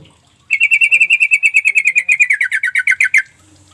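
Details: Sooty-headed bulbul calling, played as a lure to draw replies from silent birds. A fast, ringing trill of over twenty evenly spaced notes lasts nearly three seconds and drops slightly in pitch toward the end.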